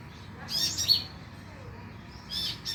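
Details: Konin used as a lure recording to stimulate singing at night: two bursts of thin, high, sharp chirps and short trills, separated by a quiet gap, over a faint low hum.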